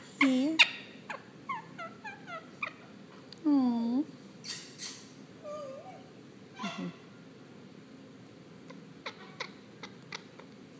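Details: Sunshine, a female pet Indian ringneck parakeet, sings while getting a head rub: a run of chattering, whistled notes and swooping, talk-like squawks in short bursts, with a person murmuring softly nearby.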